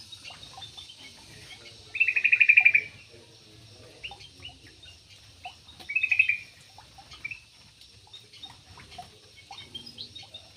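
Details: Yellow-vented bulbul kept in an aviary: two short bubbly bursts of warbled notes, about a second apart and four seconds apart, over scattered faint chirps from other birds.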